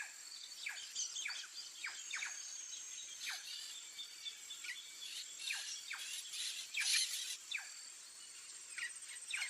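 White-tailed jay giving quick, thin downslurred notes, one or two every second, over a steady high insect whine.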